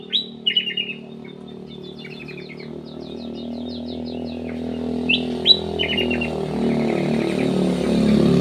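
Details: Black-capped bulbul in an aviary giving quick repeated chirps and short rattled note series, while a low rumbling noise steadily grows louder behind.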